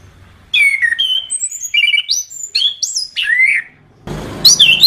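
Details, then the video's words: Orange-headed thrush singing a varied sequence of clear whistled notes, some rising and some falling, then a louder harsh burst near the end. "Masteran Suara Anis Kembang"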